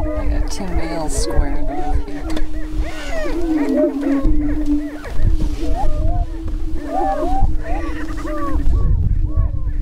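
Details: Greater prairie-chickens on a lek near Crookston, northwest Minnesota, during their spring mating dance on April 27, 2013: a steady low moaning drone with overlapping whoops and cackles, under heavy low rumbling wind.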